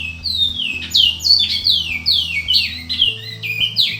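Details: Captive Bicudo (Great-billed Seed-Finch) singing: a fast, continuous series of loud, sweet whistled notes, mostly sliding downward, in tight flowing phrases, over a low background hum.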